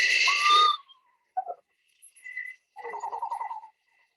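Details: Eastern Screech-Owl, Connecticut, gives a short, rapid, even-pitched trill of quick pulses lasting about a second, after a burst of music and a few brief higher notes; this trill is sometimes mistaken for a frog.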